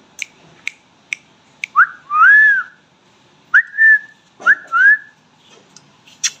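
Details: Pet talking parrot in India, loud and close: a run of sharp clicks, then three looping whistled phrases, each rising and then falling, spaced about a second apart, with a few more clicks at the end.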